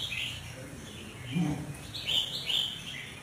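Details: Sharp, high twittering notes from an albino sooty-headed bulbul, in short bursts spaced across a few seconds, with low murmuring and hum underneath.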